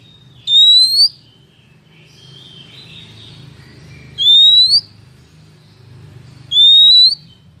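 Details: Oriental magpie-robin female call used as a trapping lure for males: three piercing, upward-sweeping whistles spaced about three seconds apart, with soft scratchy notes between them over a low drone.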